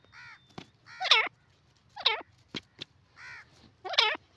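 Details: Grey francolin (teetar) calling: harsh, ringing notes with stacked overtones, each sweeping up and down, delivered in loud bursts about once a second, with softer fainter notes between them.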